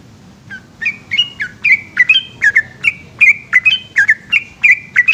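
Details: Yellow-vented bulbul's long ropel song at night. It starts after a quiet half second, then builds into a fast, chattering series of liquid, slurred whistles that repeat several times a second.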